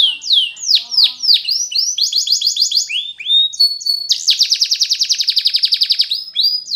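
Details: Timbrado canary singing a training song: descending whistled slurs, quick bouncing note series, a brief held tone, then a long fast trill of rapid even notes.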